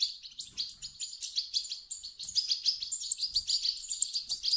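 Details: Young European goldfinches begging, calls offered to trigger singing in an adult bird: quick, bright chirps and trills packed closely, roughly once a second, with a few faint low thumps.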